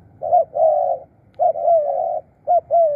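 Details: Spotted dove kept as a decoy for calling birds in, cooing three times. Each phrase is a brief note leading into a longer, slightly wavering low hum. A soft low rumble sits behind.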